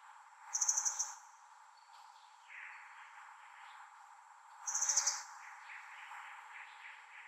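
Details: Asian brown flycatcher calling at length: two short bursts of thin, very high, rapidly pulsed notes about four seconds apart, with softer chirps in between over a steady background hiss.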